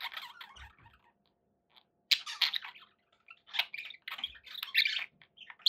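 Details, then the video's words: Pet budgerigars give scattered bursts of scratchy warbling and chirps, separated by quiet gaps of about a second, with a faint low knock near the start. "11 hours of budgie sounds"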